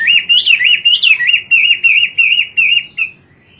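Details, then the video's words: Hwamei repeating a looping whistled note about three times a second, each a smooth up-and-down slur, steady and clear for three seconds before fading, in kowor-kowor style. "Burung wambie gacor kowor kowor"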